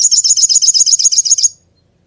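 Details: Little spiderhunter delivering one fast string of about a dozen shrill, clipped high notes lasting a second and a half, then silence.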